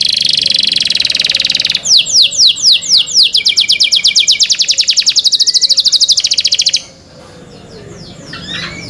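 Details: Cenkok-style canary song: an opening buzzy trill, then a run of clear whistled notes sliding downward, several per second, for about five seconds before cutting to faint background and a few soft chirps.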